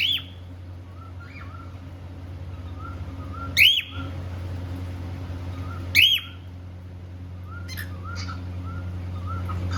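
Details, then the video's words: Pet cockatiel from a couple kept in India, happy and playing: two loud, sharp calls sweeping upward, about two seconds apart, with faint soft warbling whistles between them over a steady low hum. "Happy cockateil bird singing and playing"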